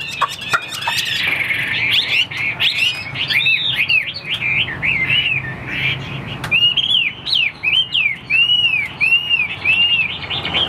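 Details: Caged Chinese hwamei bred for fighting sings varied whistled phrases, ending with a series of clear arched whistles repeated about twice a second, with faint clicks behind.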